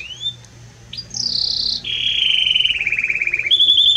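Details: Belgian canary singing a strong, warm song: a rising whistle, a bright sustained high note, then a long buzzy trill gliding slowly downward, ending in a rapid high rattle.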